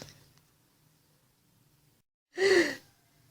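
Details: A single short human sigh or gasp after near silence in a small indoor room, with faint breathing noise before it and no animal voice.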